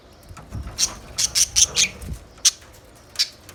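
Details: Budgerigar giving a string of short, sharp, high chirps in a quick cluster, followed by two spaced single chirps.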